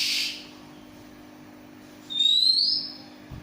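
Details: A pure, high Oriental magpie-robin whistle sweeps upward after a short burst of hiss. The owned bird is described as the most unusual kacer, with a voice that sings on and on.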